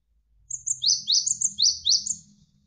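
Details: Java sparrow training (master) recording over a flowing-water backdrop: a quick run of high, thin notes, sharp ticks followed by short downward-slurred chirps, about six in two seconds, with a faint low hum behind.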